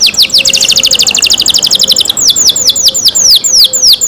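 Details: Loud canary song from a bird cared for by its keeper: descending whistles leading into a fast staccato trill, then slower repeated swooping whistled notes, with a faint low hum.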